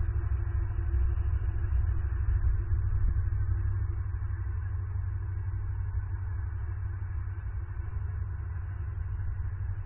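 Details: A steady low rumbling hum, like a vehicle or machinery, with no animal voices.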